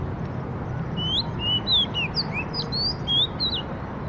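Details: Bird song made of a run of bright, upslurred and downslurred whistles, about eight notes in under three seconds, with low background hum.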